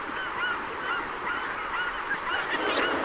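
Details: Rare wintering greater white-fronted geese at Donggang, Taiwan, in December 2021. Repeated moderately faint, harmonic yelping notes from a group run throughout, with a louder burst at the very end over broadband background hiss.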